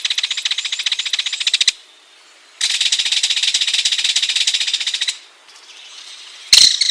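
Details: Ringed kingfisher delivering repeated long rattles: a fast series of dry, grating clicks, a pause, another sustained rattle of several seconds, then a sudden loud burst at the end.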